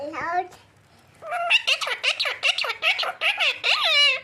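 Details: A pet parrot mimics human speech and is said to be saying 'Allah Hu Akbar'. High, nasal, syllable-like squawks come in a quick burst of about a dozen parts after a brief opening word and a short pause, indoors.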